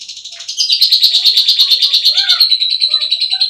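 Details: Caged pet lovebird whistling at night while sulking, giving a fast, dense, shrill trilled chatter held steady and high, pulsing rapidly without break, with a few faint lower notes underneath.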